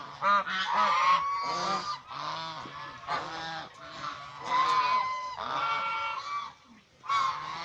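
Domestic swan geese honk loudly and repeatedly, harsh nasal blasts overlapping in bursts about every second, with a few softer calls between.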